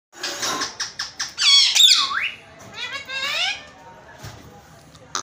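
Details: Indian ringneck parakeet talking: a quick run of short clipped syllables, then a loud swooping whistle-like phrase and a wavering squawky utterance, fading to quiet with a click at the end.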